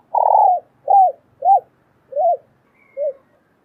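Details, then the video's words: Calls of a female spotted dove stimulating a male to coo: one long, full coo followed by four shorter arched notes, spaced about half a second apart and fading in volume. "Tiếng chim cu gáy mái kích trống gáy gù"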